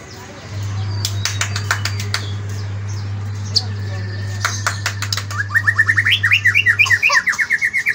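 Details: Morning song of a white-rumped shama: clicks and knocks give way to a rapid series of bright, evenly repeated whistled notes, with a steady low hum in the background.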